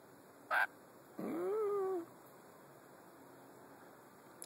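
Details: Lory giving a short sharp note, then a drawn-out whining call lasting under a second, rich in harmonics, rising at first and then sliding gently downward, against a quiet, still background.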